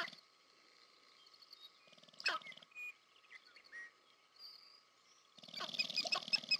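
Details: Sharp-tailed grouse courtship display at American Prairie Reserve, Montana, USA (Northwestern Glaciated Plains): bursts of rapid low rattling and drumming with high squeaky cackles and whines, over a steady high hum.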